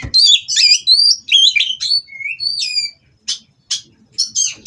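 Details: Oriental magpie-robin at a breeding farm, mating song meant to stir rivals into singing: rich burst of varied whistles and sweeping high notes for three seconds, then short scratchy phrases after a pause.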